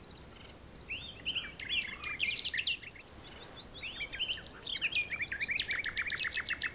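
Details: Common nightingale singing in the Texel dunes, filmed by digiscoping: varied chirping phrases with sharp upward notes, a short pause, then more phrases ending in a fast series of loud, repeated sharp notes.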